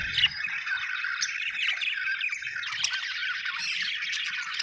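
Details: Budgerigars chirping in a constant, dense twitter of warbled squeaks and short buzzy notes from several birds at once, steady in loudness throughout.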